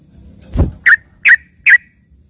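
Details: Yellow-vented bulbul with learned filler song said to sound like a singing green leafbird: three sharp, evenly spaced chip notes after a dull low thump, then quiet.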